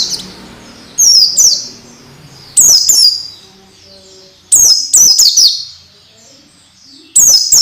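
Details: Orange-headed thrush song used to train young birds to sing readily: several bursts of shrill descending whistles, two to four notes each, about every one to two seconds, over faint low background hum.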